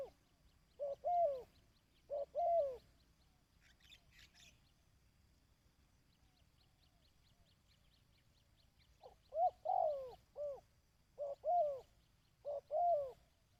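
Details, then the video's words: ['Dove cooing for training decoy birds. Two paired coo phrases, each a brief note then a drawn-out arching coo, are followed by a quiet stretch with faint high chirps. Three more phrases come at the end.'] "Tiếng Chim Cu|Kích Bổi ( Tập Mồi )"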